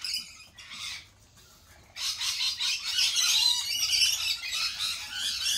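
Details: Lorikeets at a cafe: a few scattered squawks, then a sudden, continuous din of shrill, overlapping screeching from many birds.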